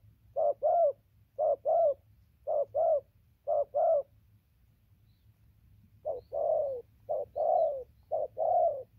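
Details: Spotted dove cooing nonstop, recorded 15/11/2020: paired low coos repeated evenly, a two-second pause midway, then more drawn-out coo pairs, with a faint hum.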